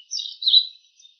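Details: A bull-headed shrike mimicking another bird's call: a single brief chattering, slurred phrase that swells and fades, followed by a faint short note, no other sounds.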